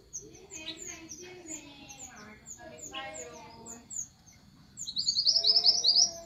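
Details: Orange minivet flock call: after murmured low voices, a loud quick string of high, clipped, slightly rising notes bursts out near the end, while thin high chirping from other birds continues throughout.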